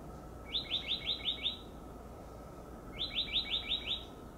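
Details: Oak titmouse calling from a high perch: two bursts of six quick, rising, slurred notes, each burst about a second long, separated by a short pause, over a faint steady background hum.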